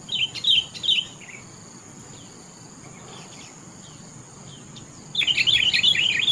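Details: Sooty-headed bulbul singing: short bursts of bright, chirpy warbled notes at the start, a quiet pause, then a rapid run of lively notes at the end, over a steady high-pitched whine.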